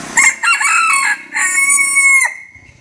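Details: Crowing bantam cockerel, a choppy two-part start leading into a drawn-out, steady, high held note that cuts off sharply; faint background hum and a short human voice at the end.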